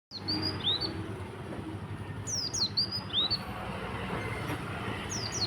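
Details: Oriental white-eye singing in the morning in the tembakan konin style: high, thin slurred chirps, some dipping, some rising, in quick clusters over a steady low rumble.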